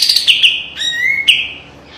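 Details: Brief phrase from a kapas tembak white-eye training song: high sharp chirps, then a thin whistle sliding upward and ending in clipped notes.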